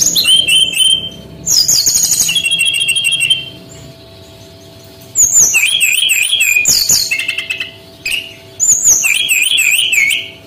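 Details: Male brown-chested jungle flycatcher from Bali in full song, used as a tutor recording for training young birds: bursts of loud, high whistled phrases with wavy slurred notes and rapid trills, separated by short pauses.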